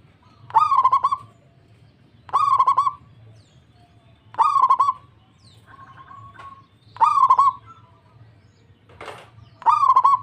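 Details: Local zebra dove singing actively and answering at once: rolling, trilled coos, each about half a second, repeated roughly every two seconds over a low steady hum, with one faint buzzy note near the end.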